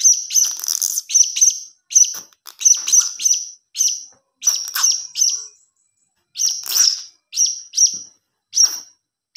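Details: Young blue-crowned hanging parrot uttering clusters of shrill, high-pitched tweets in quick runs separated by short silences, with a gap of over a second midway; lure recording.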